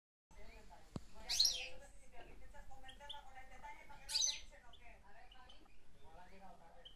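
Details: European goldfinch at Palma del Río, Spain, giving two bright, tinkling twittered bursts about three seconds apart, over a murmur of voices and lower background noise.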